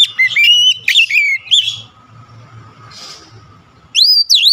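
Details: Oriental magpie-robin in an agitated, high-energy song meant to trigger other birds: loud bright whistles rising and falling with sharp overtones, a pause filled with a soft low hum, then a renewed burst of whistles.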